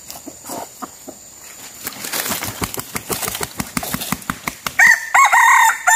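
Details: Red junglefowl, used as a decoy to lure wild birds. A rapid series of wing-flapping claps comes first, then a harmonic crow begins near the end and is cut short. Faint background hiss throughout.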